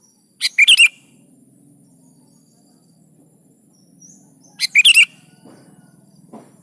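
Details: Vigorous kutilang (sooty-headed bulbul) song meant as a lure for lazy singers: two phrases about four seconds apart, each a short lead note followed by rich, burry whistles, with soft rustling and a low hum.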